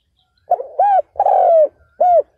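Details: Captive spotted dove used as a ground decoy to provoke and lure wild males, giving a single cooing phrase: a soft lead-in, a rounded hoot, a long drawn-out descending coo and a final clear hoot, with little else audible.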